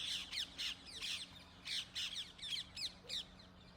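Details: Rose-ringed parakeets in Gurugram, India, recorded on a camera's built-in mic: a rapid run of shrill, harsh screeches, about three per second, with a low steady hum in the background.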